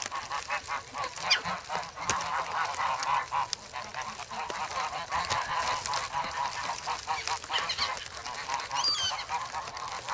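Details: Geese in a snowy Amsterdam park on 3 February, hungry and pecking for bread; softer, more distant, busy honking mixed with background hiss and a few sharp clicks.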